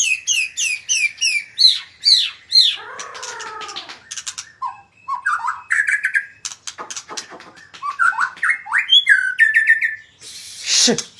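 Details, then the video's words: Varied magpie-robin song: quick high chirped notes, then descending buzzy slurs. Phrases of short whistled notes rise and fall in pitch. A harsh burst ends the phrase. "burung murai suara mewah"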